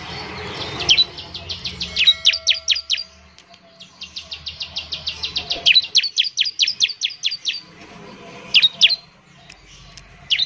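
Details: Bar-winged prinia song meant to stir other birds into singing: fast series of thin, high downslurred chirps in long bursts, with pauses between runs and a few scattered notes at the end.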